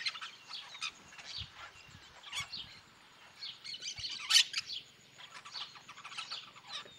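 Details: A flock of yellow-chevroned parakeets in the sertão of Bahia chatters with shrill, scratchy, constantly overlapping chirps, with one louder screech standing out midway.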